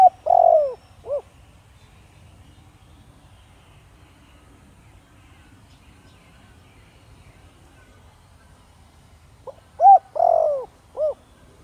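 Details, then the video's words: Spotted dove cooing in the Thổ Đồng style to lure wild doves. One phrase ends the opening, then about eight seconds of near silence, then a full phrase of coo, long falling croo and short final note. "Cu gáy Thổ Đồng kích bổi nhanh nổi/Chim cu gáy giọng nhạy bổi/bổi nghe gáy như điên/cu rừng phản ứng"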